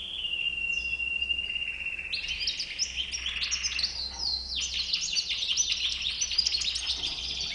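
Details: A bouc blanc (white-bearded) European goldfinch first sustains a smooth, level, drawn-out note for two seconds, then breaks into fast, bright, tinkling twitters and chattering bursts that continue to the end.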